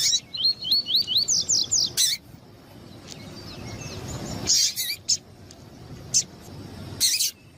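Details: Double-collared seedeater, a male excited by a calling female, for breeders entering tournaments: about nine quick rising whistled notes open the recording, followed by a few sharp metallic chips spaced over the rest.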